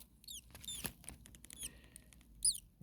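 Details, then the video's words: Five common starling nestlings on day 2 in a very hot nest, about 40 °C, one possibly hurt, with the mother nearby calling: thin, high, downward-sliding squeaky notes in three quick bursts, with clicks and rustling. "Starling baby birds very hot. Day 2 Nest 2. Mama bird was close by making some noises."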